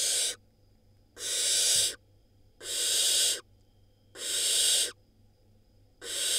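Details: Barn owl nestling in an Israeli nest box, hatched May 2022, swallowing a whole rodent; harsh broad hissing bursts of about a second, five in a row at a steady rhythm, with quiet pauses between.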